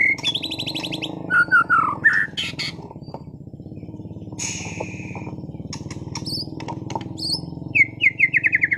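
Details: Caged white-rumped shama of contest class from Sragen sings scattered phrases: a high rattling trill, quick slurred whistles, a harsh hissing burst, sharp clicks, and a closing run of rapid chips, all over a steady low hum.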